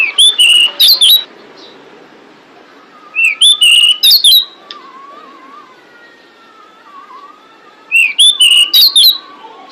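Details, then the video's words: Female pied bushchat calling to lure males, used as a bait sound. Three bursts of four or five bright, sweeping whistled notes, spaced about three to four seconds apart. Faint drawn-out whistles from another bird come in between. "Suara Decu Betina Pemikat Jantan"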